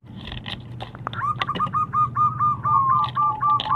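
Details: Wild local zebra dove with a big voice, used as a lure to get other doves singing; after a second of clicks and rustling, a fast run of short, even cooing notes repeats steadily to the end.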